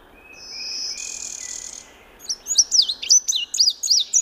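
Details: Indigo bunting: a steady high buzzing hiss at first, then a run of sharp high notes in quick, paired, slurred phrases rising and falling over about two seconds.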